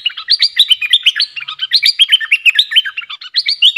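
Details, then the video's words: A Streak-eared bulbul sings a busy, unbroken run of bright chirps and short bubbly whistles, several notes each second, with no other sounds heard. "Suara merbah lekir"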